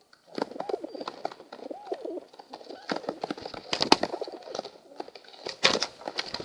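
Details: Morning pigeon flock: overlapping low, wavy coos run through much of the recording, mixed with frequent clicks, taps and wing or foot noises.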